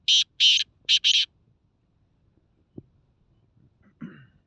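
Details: Black francolin from Khushab, Pakistan, giving a loud, rasping burst of four scratchy notes: two drawn-out grating notes, then a short one and a longer one. Quiet background follows with a faint thump and a soft low sound at the end.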